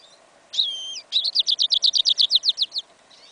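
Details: Goldfinch × canary hybrid (yellow isabel) singing in a field in winter, 11 January 2015, partial song: a sliding whistled phrase, then a rapid run of about fourteen bright, evenly spaced chirping notes.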